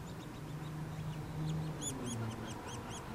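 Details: Nuttall's woodpecker chicks at feeding time: faint high squeaks at first, then a burst of louder, sharp arched notes in quick succession, over a steady low background rumble.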